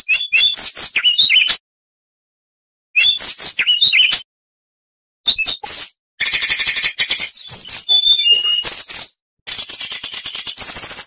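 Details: Oriental magpie-robin training song heard in separate bursts: short chattering rattles with high whistles, then longer loud stretches of buzzy trills and clear whistled notes, separated by silences.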